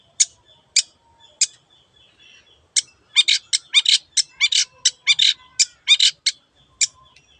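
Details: Cendet, the long-tailed shrike, in energetic song: a few spaced sharp chips, then a fast stuttering run of scratchy, clicking notes, above a faint steady high whine.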